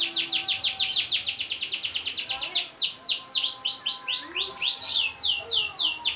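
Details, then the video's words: Canary song used as a training recording for other birds, a long roll: rapid trills of downward-sweeping notes, about three or four a second, shifting into broader rising and falling phrases. "MASTERAN KENARI NGEROL PANJANG"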